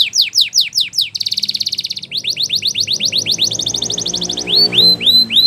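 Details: Spanish Timbrado canary training song: repeated loud downsweeps, a very fast metallic trill, a pulsed rolling run, a rapid even trill, then three rising whistled upslurs; low rumbling noise in the background.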